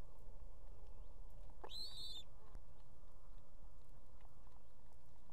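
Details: Female osprey on a nest with two chicks in Estonia, calling the male to deliver food; one loud rising whistled call lasting under a second amid steady noise.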